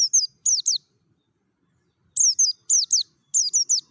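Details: High, sweet descending whistles of a Merapi mountain white-eye singing in the ngalas style, a lure for other white-eyes: brisk runs of two to three slurred notes, a pause of over a second, then three tight triplets.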